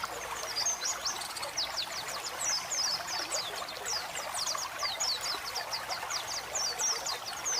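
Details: White-eye training recording for pet white-eyes, mixed with running water meant to relax the birds: thin, very high twittering notes repeated rapidly in short sharp bursts over a steady hiss of flowing water.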